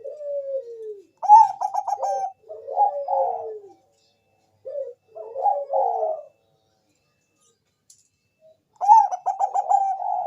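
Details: Zebra dove of the Bangkok type, used as a lure to make other doves sing: rapid stuttering coos followed by longer rolling, descending notes, repeated in three bursts with quiet gaps between.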